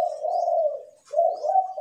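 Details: A kept Spotted Dove used as a decoy bird, cooing in the morning, gives a low, hollow cooing phrase of two drawn-out mellow notes with a brief dip between them, in a quiet setting.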